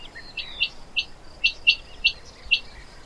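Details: Quail calling in brief high chirps, roughly seven clipped notes in three seconds at an uneven pace, over a faint rustling background.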